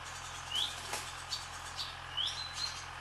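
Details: Barn swallows flying over a farm, giving a few bright, rising chirps and a short flat whistle over a faint low hum.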